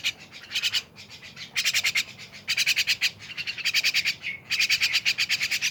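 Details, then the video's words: Myna delivering dense runs of rapid, scratchy, buzzing pulses, the bursts lengthening into nearly continuous harsh chatter toward the end. "rame bersama burung jalak"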